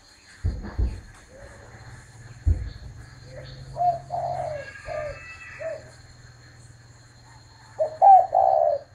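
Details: Spotted dove giving soft, low coos, a few short muffled notes midway and a fuller drawn-out coo phrase at the end, after two sharp knocks near the start; faint steady high tone behind.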